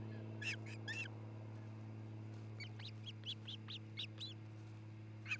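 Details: Wild osprey at a nest near Charlo, Montana, where a pair is building a new nest, on a nest camera on 27 June 2018, early afternoon. Short, sharp, chirping calls: two at first, then a quick run of about ten, over a steady low electrical hum.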